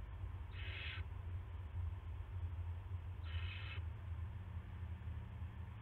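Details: Owl at a nest around 5:20 AM on 9 March 2016 during a rat delivery: two raspy, breathy screeches about three seconds apart over steady low droning noise.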